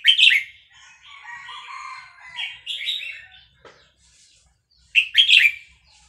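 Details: Vietnamese red-whiskered bulbul, caged, singing excitedly over a recording of hatched chicks; loud bubbling phrases at start and end frame quieter warbled notes and a short low rasp.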